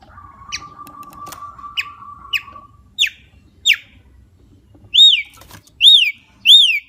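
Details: Javan myna song opening with a long steady whistle, then a series of sharp downward-slurred chirps spaced about half a second apart. It ends with three loud, high, arched whistled notes.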